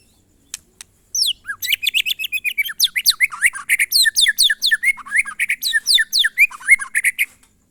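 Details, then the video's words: White-rumped shama, monotonous song called glondong: a long dense stream of rapid sharp chips, slurs and trilled whistles, about two notes per second, bright and high, in a quiet setting. "suara burung murai batu "MONOTON"alias GLONDONG"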